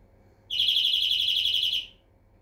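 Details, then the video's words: European greenfinch giving one rattling trill of quick, evenly pulsed bright notes, sustained for just over a second before trailing off. "Flurya Kuşu ötümü"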